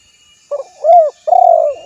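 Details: Spotted dove calling: a soft stuttered opening note, then a smooth arched coo, then a longer throbbing, rolled coo, all low and mellow.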